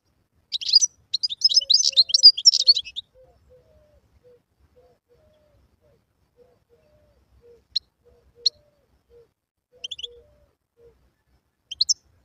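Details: Song of a wild European goldfinch, used to tutor fledglings: an energetic burst of jumbled tinkling twitters for over two seconds, followed by a long lull with faint soft low notes and scattered single high chirps.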